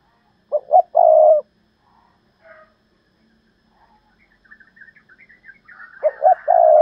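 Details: Decoy spotted dove calling in the thúc lợi cốt style: two phrases of two short clipped coos followed by a long drawn-out hoarse coo, separated by a quiet gap with faint chirps and twittering.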